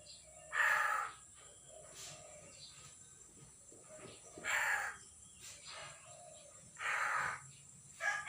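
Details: Common hill myna, freshly caught and not yet speaking, recorded 6 December 2022, giving harsh grating screeches roughly every two to three seconds, three full calls and a fourth beginning at the end, over a constant hiss.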